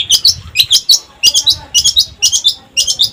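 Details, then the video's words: Cendet, or long-tailed shrike, singing energetically. Harsh high chirps come in quick pairs and triplets, repeated roughly every half second with short gaps between bursts. "Pancingan Cendet Gacor"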